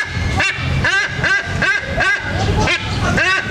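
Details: Food-begging calls of a white-bellied sea eagle from Sumatra: loud nasal, honking notes, each rising then falling, about seven in under four seconds over a low rumbling background.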